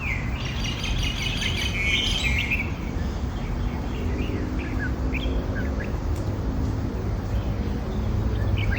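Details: Red-whiskered bulbul, one of two, singing near a house's front garden in Thailand during light rain, apparently waiting to catch insects flying after the rain: bright, chirpy whistled phrases, busiest early, then scattered notes over low rumble; owner unsure if it's the male's signature song.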